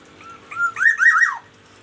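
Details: Morning song of a Black-naped oriole from Aceh kept in daily care: two soft fluted notes lead into a loud, rolling burst of looping whistled syllables, then silence.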